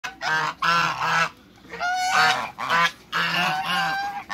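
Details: A pair of large African geese kept in a backyard, giving loud, harsh, nasal honks in long drawn bursts of about half a second, repeated with short pauses, some overlapping as both birds call.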